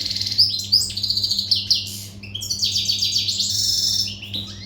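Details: Energetic song of a European goldfinch, al-Gharb type, not tutored and in breeding readiness: dense, jingling high chatter with quick slurred notes and twittered trills delivered nonstop, low mains-like hum beneath.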